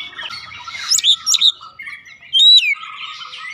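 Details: Oriental magpie-robin song used to coax a bird to sing: a few high sharp notes, soft warbling, then one strong downslurred whistle.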